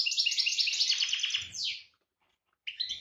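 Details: European goldfinch in breeding condition, 2018 season, delivers a fast, rhythmic run of high, ringing, repeated trilled notes ending in a downslurred buzz. After a silence of about a second, a new twittering phrase begins.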